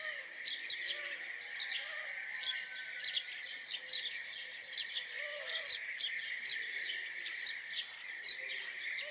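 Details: A house sparrow chirps busily: quick, clipped, high notes follow one another almost without pause. A continuous high hiss lies underneath, and faint low whistled notes sound now and then.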